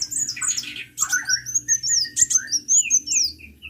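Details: Sunbird singing energetically: a rapid run of thin, high, sliding whistles and twittering notes, with a few lower buzzy chirps mixed in and a faint steady hum behind.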